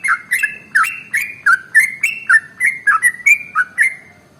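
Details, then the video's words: Sooty-headed bulbul's long 'ropel' lure song: quick run of bright whistled notes with sharp attacks, about four per second, tapering off and ending in quiet. "SUARA Trucukan ropel SUPER PANJANG paling AMPUH untuk PANCINGAN burung gacor"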